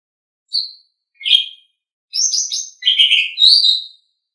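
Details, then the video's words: Asian pied starling song used as a training recording for pet songbirds: a short high chirp, a lower slurred note, then a dense run of harsh, buzzy, chattering phrases over about two seconds, with no other sounds. "Suara Burung Jalak Suren"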